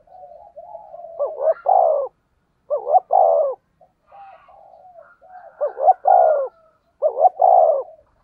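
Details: Spotted dove with a 'thunder voice' call used as a lure to stimulate other doves. Faint murmured coos lead into three strong, deep, rounded phrases, each a short stuttered coo and a longer resonant note, with clear gaps between.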